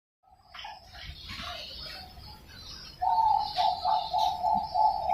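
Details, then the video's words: Young caged Bangkok-type zebra dove, hatched 6 February 2023, at a bird farm in Pasuruan, East Java, Indonesia; after soft background noise, a steady run of mellow, rounded cooing notes begins halfway and repeats rapidly, evenly spaced, to the end. "SUARA PERKUTUT BANGKOK ANAK"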